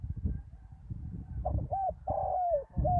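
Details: Spotted dove used as a decoy on a ground arena after a storm: a rolling, wavering coo phrase of looped notes and a long falling coo, with low rumbling background noise.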